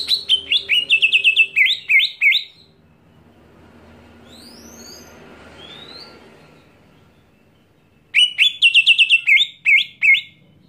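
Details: Screaming greater green leafbird provoking other leafbirds: a rapid burst of high chattering notes, then about five seconds of faint background with a few thin whistles, then a second matching burst of quick, sharp notes.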